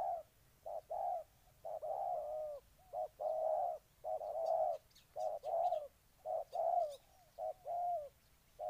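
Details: Spotted dove from Ninh Thuận, Vietnam, cooing: short low hollow coos in uneven groups of two or three, with pauses between groups, and faint high chirps from other birds in the background.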